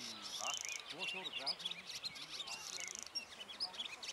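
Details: Barn swallows resting on a wire on Saltholm: quiet, busy twittering of short high chirps and rattles, with brief low voices of people talking.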